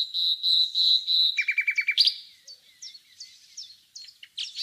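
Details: Common nightingale in rural Bursa, Turkey, near Laleli village: several long, pure whistled notes swelling in loudness, then a quick clicking trill, a sharp upslurred note and spaced short chips.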